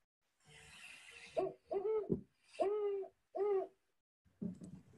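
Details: Great Horned Owl giving a stuttering series of about five soft, low hoots in a broken rhythm (rendered "who's awake? me too"), a winter bird in South Carolina, preceded by a brief hiss of background noise.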